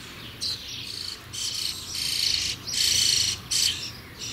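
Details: Starling young close to leaving the nest, giving loud rasping hisses in long bursts under a second each, with a faint whistled overtone, repeated around eighty times a minute.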